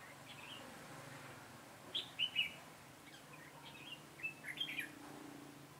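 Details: Decoy red-whiskered bulbul at a trapping session on 22 September 2017 sings short whistled, warbling phrases in separate bursts, two quick notes then a longer run of three or four, with faint outdoor ambience.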